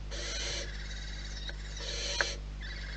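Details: Soft rasping hisses from wild barn owls at the nest, two longer bursts and a shorter one, with a brief tick and a steady background hum.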